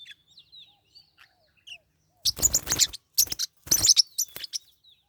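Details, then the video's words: Fighting pet forpus parrotlets: thin, faint whistled tweets at first, then loud harsh bursts of scuffling and squabbling chirps in three bouts, ending with a few soft notes. "My birds are fighting"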